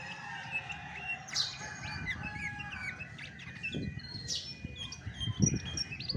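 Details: Chestnut-backed thrush in original voice, no tutor recordings: scattered high whistles and chirps with some longer tones, accompanied by low thumping and rustling noises.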